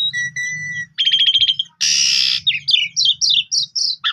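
An Asian pied starling sings a varied phrase: two long flat whistles, a rapid clicking run, a harsh grating burst, then quick slurred descending notes.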